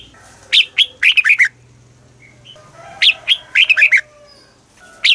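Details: Caged red-whiskered bulbul in Thailand singing a southern master-style phrase used to excite other birds: two quick bursts of clear, slurred whistles, each a run of about five falling notes.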